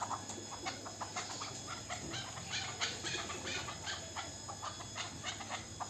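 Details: Young local chukar partridge hatched last year, calling with a steady string of short, dry chuk notes at moderate volume against a faint background hum.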